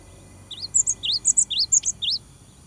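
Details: Eager cinereous tit song meant to goad a rival bird into answering: a single phrase of about five paired notes, each a rising slur followed by a thin high whistle, over quiet background.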